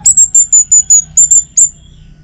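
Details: Orange-headed thrush from North Bali, morning song used to get other birds singing: a rapid series of eight high, thin, evenly spaced whistled notes, then silence.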